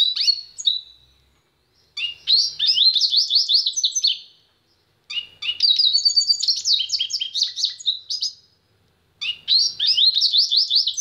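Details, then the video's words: Pintagol, a goldfinch-canary hybrid, singing: three long bursts of fast, high, twittering warbles and trills, each lasting two to three seconds, separated by short silences, with no other sounds. "PINTAGOL EM CANTO"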